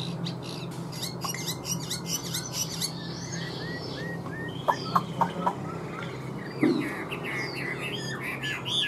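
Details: A newly arrived Chinese hwamei in northern Vietnam, with rain approaching, gives scattered clear whistles and quick slurred phrases, several rising and falling, over a steady low hum with faint chirps around it.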